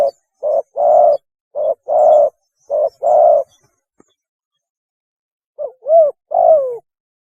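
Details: Mating call of a spotted dove: paired short-then-long hoarse coos at a steady pace, a silent gap, then a curving coo and a longer note sliding downward. Clean, quiet background.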